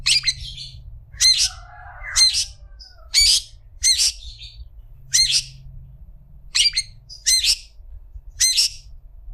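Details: Long-tailed shrike tutor recording: sharp, high squeaky notes with a hooked upturn, spaced about every second over nine seconds, plus a brief soft chattering warble early on, against a steady low hum.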